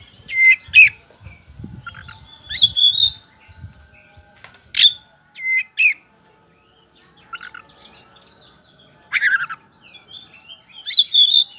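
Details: White-rumped shama (kacer poci), loud and lively, singing as a lure for other birds to answer: varied whistles, buzzy chips and sharp rising notes in short bursts, with faint low thumps at the start.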